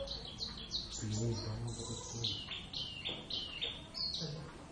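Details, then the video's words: First practice duet of two Javan Oriental white-eyes, Zosterops palpebrosus javanus, in ngeriwik style; loud, clear high whistled notes, many sliding downward, tumble rapidly one after another, with some low background murmur. "pleci nakula sadewa ....gacor ngeriwik"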